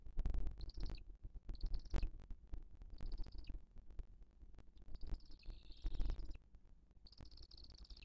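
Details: Booted eagle nest in 2023, with the female feeding the chick: drawn-out, high, buzzy wheezing calls roughly a second long, repeated with gaps, over heavy low rumbling and knocking noise.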